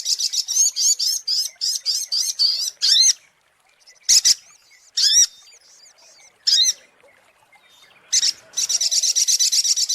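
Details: Brown-throated sunbird in a lure recording: a run of quick, high chirps with downward-slurred notes, then scattered single sharp calls after silent gaps, ending in a fresh burst of rapid twitters.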